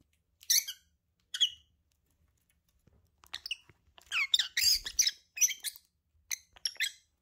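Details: Two lovebirds together, giving scratchy, high squawks and chirps; two separate notes open the sequence, then a dense, harsh burst of overlapping calls, ending with a few sharp chirps.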